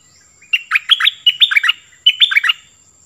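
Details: Nok dok taeng bird singing clearly: two phrases of fast, bubbly whistled notes rising and falling, the first about nine notes long and the second about five, separated by a brief pause, with a faint high hum.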